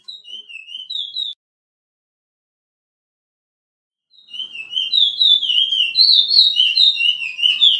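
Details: Pijé-Pijé training song of the Chestnut-bellied seed-finch, from Suriname: a short whistled phrase, about three seconds of silence, then the song resumes as a dense run of slurred whistles with a second song layered behind it.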